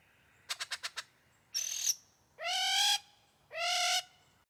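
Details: Superb lyrebird in the wild amid a winter forest at morning: five quick clicks, a high buzzy whistled note, then two long, full harmonic calls, over a faint low background hum.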